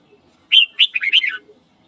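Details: One lively warbled phrase from a red-whiskered bulbul singing in the morning to provoke rivals: a clear whistled note, then a run of quick tumbling notes that drop in pitch at the end.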